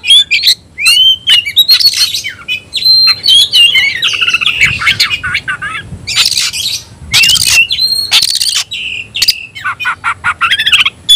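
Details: Kacer, the white-rumped shama, a caged bird calling to a fighting rival: long bout of mixed whistled phrases, harsh buzzy bursts and chattering notes with brief pauses.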